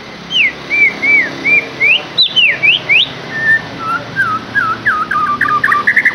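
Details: Whistled lure song for a captive white-rumped shama: clear looping slurs, some rising sharply, in steady succession, speeding into quick varied twitters at the end.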